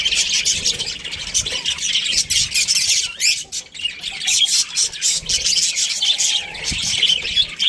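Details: Australian budgerigar breeding pair chattering: rapid high twitters and buzzy warbles, with one clear rising-falling whistled note near the middle before the chatter resumes.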